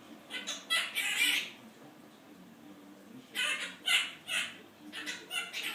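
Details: Male Quaker parrot kept as a pet, voicing copied human complaints about work; a burst of gravelly speech-like syllables, nearly two seconds of quiet, then another chattering phrase.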